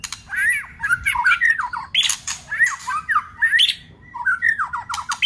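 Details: Singing white-rumped shama with harsh 'tạch' calls, a trigger recording meant to excite a weak-spirited bird; jerky slurred whistles and gravelly bursts tumble together in rapid, uneven phrases.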